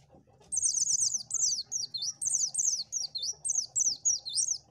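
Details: Lively Oriental white-eye song played to lure birds: a continuous rapid twitter of high, zigzagging slurred notes in short bursts, with a soft low background hum.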